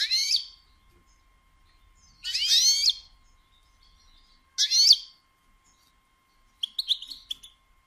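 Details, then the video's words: Batbata calls from a female European goldfinch meant to excite males into song: three loud buzzy, rasping bursts spaced about two seconds apart, ending in a quick series of sharp high chirps. "بتبتة أنثى الحسون"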